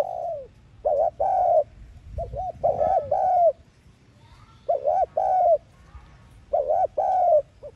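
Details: Spotted dove used as a trapping lure, cooing thúc gù style: three separate low phrases, each a couple of short bowed coos then a longer sliding one, with faint low rumbling between them.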